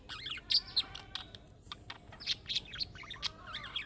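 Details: Budgerigar giving chick-style calling sounds that draw answers from other budgerigars: dense high chirps and warbled twitters, some bright peaks, with short gaps between bursts.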